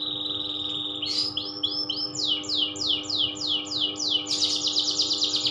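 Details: Canary singing loper style: a level whistle breaks into a rhythmic series of falling swept notes about three per second, ending in a dense fast trill, with a low hum behind.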